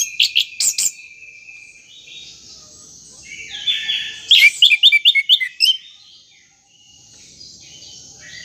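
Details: Caged orange-headed thrush song played to prompt a stuck bird to start singing: scattered high chirps, then a quick burst of sharp rising whistled notes repeated about six times in a row, then quiet.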